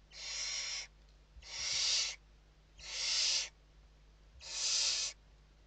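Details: Evening feeding at a barn owl nest in Spain, November 2023: four strong, evenly spaced snoring hisses, each close to a second long, harsh and breathy, separated by quiet gaps.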